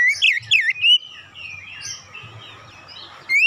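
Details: Oriental magpie-robin used as a training lure, singing with imitated tit song. A brief burst of loud, looping whistles gives way to quieter warbling, then a final rising whistle.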